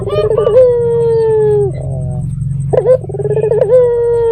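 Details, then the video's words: Lure call of a red-eyed local puter dove to prompt other doves to reply; a rolling start leading into a long level coo that drops off, then a second rolling phrase, against a low droning background. "Pancingan Burung Puter Mata Merah Gacor"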